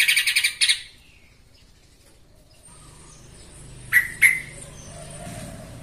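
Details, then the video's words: Agitated yellow-vented bulbul in a lure recording meant to provoke rivals: rapid rasping notes open the clip, then quiet, then two sharp, rising chirps near the end. A low hum lies underneath. "TRUCUKAN EMOSI BONGKAR ISIAN"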